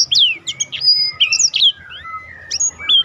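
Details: Black-throated canary singing a roll-style song used as a master track for contest birds: rapid high whistled sweeps and slurred notes, rising and falling, tumbling together without pause over a faint low hum.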